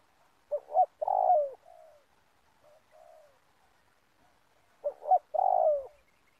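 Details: Luring call of a spotted dove at an oil palm plantation trapping site: two clear phrases of quick doubled notes and a sustained falling coo, separated by faint soft hoots in a quiet background.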